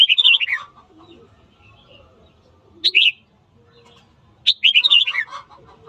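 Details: Red-whiskered bulbul singing in the morning, used to stir birds up to fight: three bright warbled phrases, the first and last long runs of quick notes sliding from high to lower pitch, a short two-note phrase between them.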